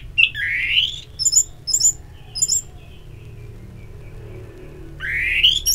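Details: Orange-headed thrush, played as a morning-to-evening therapy recording to stimulate singing: rising whistled slurs near the start and end, a few high thin chirps between, over a low steady hum.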